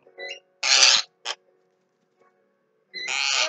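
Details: A pet Javan myna (Acridotheres javanicus) calls to its owners in the morning: three harsh, hissing, broadband bursts, the first and last about half a second long, preceded by a soft squeak.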